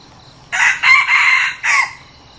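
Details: Red junglefowl kept as a decoy bird for luring wild junglefowl, a newly acquired one being tried out; a single loud, harsh crow of three joined syllables, a short pause, then a clipped final note, in an otherwise quiet setting.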